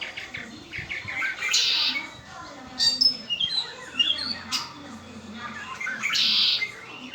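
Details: Red-winged blackbird in captivity singing scattered chirps and whistled slurs, with a buzzy trill early and a second one near the close.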